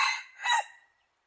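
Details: Tail of a decoy red junglefowl's crow, used to attract wild junglefowl: a rasping phrase rising to a strained note, then fading into silence.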